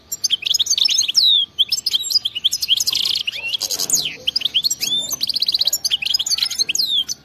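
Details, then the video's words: European goldfinch delivering energetic khalwi-style wild song with batbata sections; unbroken rapid twitters, buzzy rattles and rising and falling whistled slurs, packed densely throughout. "أطلع لي اي حسون ما يغنيش وسمعو هذا التغريد 😱😠 راح يغني بدون مقدمات بتبتة جنونية وغناء خلوي خرافي"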